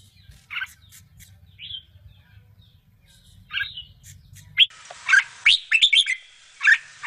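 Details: Bulbul babies at feeding time: a few scattered chirps over a low hum, then a sudden loud burst of harsh, rapid squeaking chirps in the second half.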